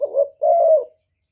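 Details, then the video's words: Spotted dove calling in the 'thổ thúc' style to provoke wild doves. A single soft phrase: a short wavering coo, then a sustained, gently falling low note, with nothing else heard. "cu gáy giọng thổ thúc gù + gáy gọi giọng rất chuẩn để kích bổi"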